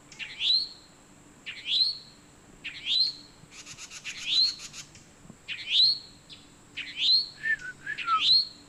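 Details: Towhee mating call: seven bright rising chirps at roughly even intervals. Other birds join in, with a fast stuttering trill in the middle and some short downslurred notes near the end.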